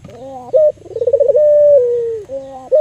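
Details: Albino Barbary dove, a local bird kept to lure other doves into calling, gives a trembling, rapidly pulsed coo. It flows into a long, steady, slightly falling hum, framed by short double-toned notes.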